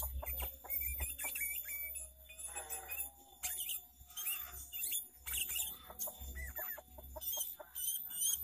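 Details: Sooty-headed bulbul lure song for trapping, a lively full song with varied fill-in phrases: short whistled notes and brief rising-falling phrases, among dense high chattering chirps and a low background hum.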